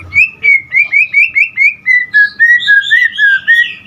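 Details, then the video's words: White-rumped shama in energetic song full of varied phrases: a steady series of clear whistled notes, about four per second, gradually dropping slightly in pitch, with faint higher overtones. "Murai Batu GACOR Full Isian"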